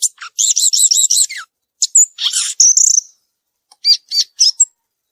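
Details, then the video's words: In the wild, a violaceous euphonia sings a quick run of five or six looping high notes, then buzzy chatter and a whistled note, ending with three or four spaced chirps after a pause. "Gaturamo verdadeiro cantando na natureza"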